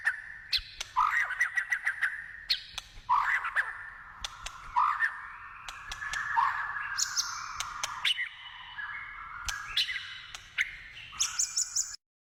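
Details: White-rumped shama in the wild giving a varied song of mellow whistled phrases mixed with harsher squawky notes and scattered clicks, with pauses between bursts.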